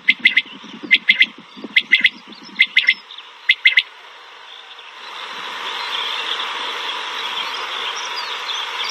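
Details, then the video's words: Mountain quail, known locally as pahari batair, in Pakistan: short sharp notes in pairs and triplets, repeated several times over about four seconds, then a steady broad hiss of noise for the rest. "Mountain Quail | Pahari batair | Quail Sound | New Batair ki awaz | بٹیر کی آواز"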